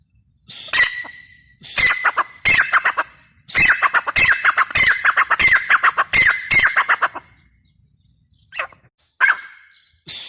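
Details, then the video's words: Grey francolin calling loudly in harsh, scratchy phrases, given in bursts of several rapid notes separated by short pauses, with a few shorter squeaky notes near the end. "teetar sound | teetar awaz | dhakni tetar awaz"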